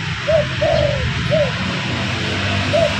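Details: Spotted dove cooing, used to attract birds: a short coo, a long gently falling note, another short coo, then a lone coo after a pause, against a fairly loud steady background hiss.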